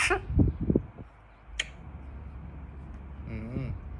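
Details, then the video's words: A pet blue-and-gold macaw says a short, wavering, nasal "hallo" near the end, after some soft low murmurs and a sharp click. "Saiyan say hallo | Dutch Macaw Parrot"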